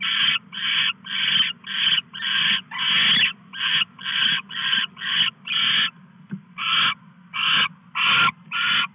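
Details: At 2:34 AM on August 22, 2015, a male owl brings a mouse to the female, filmed on a live camera. Long run of rasping, breathy screeches, nearly two a second, with uneven gaps and a constant low hum beneath.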